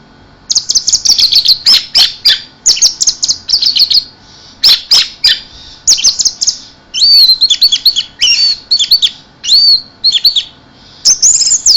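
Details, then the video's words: Orange-headed thrush singing almost nonstop in the 'keserr' style, with high hissing, chattering phrases and looping whistled notes in quick succession. "anis merah dewa mabuk teler keserr"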